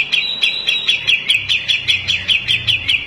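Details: Grey-cheeked bulbul male used as a masteran tutor for songbirds: slower repeated slurred notes, each dipping slightly, about two to three per second in a regular rhythm.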